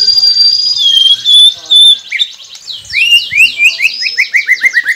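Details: White-rumped shama training song for prompting captive birds: a long high whistle dropping in pitch, then a quick run of repeated downward-slurred whistles.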